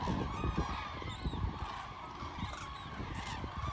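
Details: Huge flock of common cranes moving south over the Wetterau near Bad Nauheim, Germany, 22 October 2022; a short burst of many overlapping trumpeting calls, with low rumble in the background.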